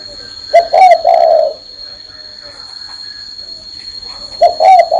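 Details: A spotted dove sitting on a hand gives its low, soft coo: a brief lead note, then a rolling two-part phrase, repeated after a pause of nearly three seconds, over a faint constant background tone.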